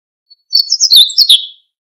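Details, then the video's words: Siberian bunting singing a short, high, tinkling phrase of quick thin notes lasting about one second, in a quiet setting. "Escribano Siberiano"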